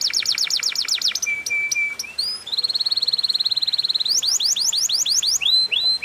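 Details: Canary lure song in cengkok mewah style, rich and varied: rapid falling sweeps, a brief level whistle, a fast steady pulsed roll, then a series of bright rising-falling swoops.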